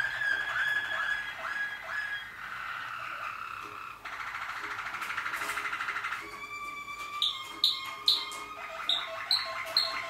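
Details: Malinois Waterslager canary song, 2014: varied rolling trills and a buzzy sustained roll, ending with clear bell-like notes repeated about twice a second.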